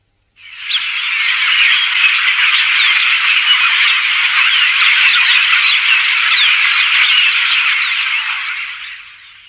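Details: Dense, continuous chatter of many starlings; the species lives in flocks and is known as a crop pest. Overlapping squeaks, clicks and whistles merge into one unbroken, busy wall of sound.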